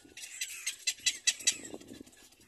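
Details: Little black cormorant (Phalacrocorax sulcirostris), begging call: chicks competing for food from their mother.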